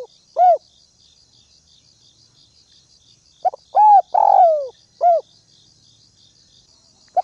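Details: Northwest spotted dove used as a ground decoy, calling to provoke rivals: a lone short coo, then a phrase of quick double notes, an arched coo, a long downslurred coo and a final short coo, under continuous insect chirring.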